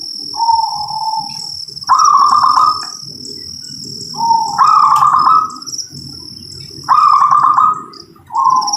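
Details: Local zebra dove singing three phrases about every two and a half seconds, each a smooth low cooing note followed by a higher burry, rolling trill; a steady shrill insect-like whine runs high in the background.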